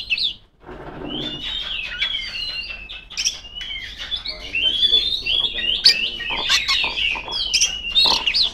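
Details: Female Oriental magpie-robin singing loudly to call rivals; rich whistled phrases rising and falling, mixed with sharp clicks and harsh notes, after a brief quiet opening.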